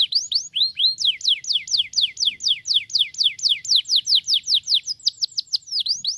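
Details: Canary song for stimulating other canaries: long run of rapid falling whistled sweeps, about three per second, ending in a few V-shaped notes, clear and loud.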